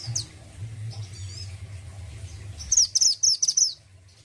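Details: Orange-headed thrush of the mountain type from Indonesia, in full song: a thin high note opens, then after a low hum a fast series of about eight sharp, high, clipped notes ripples out in quick succession.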